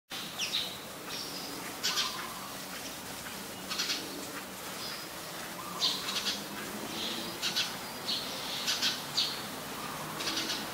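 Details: House sparrow, a very common resident, recorded in Ubon Ratchathani, Thailand on 17 January 2020: scattered short bright chirps, some single, some in quick pairs, spaced irregularly over a steady background hiss.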